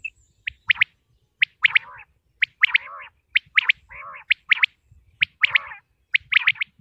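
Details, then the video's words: Common quail in Pakistan repeating ringing three-note calls, each clipped and sharp, interspersed with softer low nasal, wavering buzzes; a steady rhythm of roughly one phrase per second. "quail sounds 2023|batair ki awaz 2023|pakistani batair|top sounds of batair"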